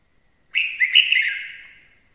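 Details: Red-whiskered bulbul delivering one bright, ringing burst of fast warbled whistles, strongest at the start and gradually fading out.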